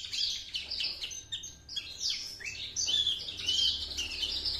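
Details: Young Horsfield's bush lark from Java, two months old, delivering learned master phrases. Mixed high chirps, rising and falling whistles and scratchy trills come in uneven bursts over faint background hiss.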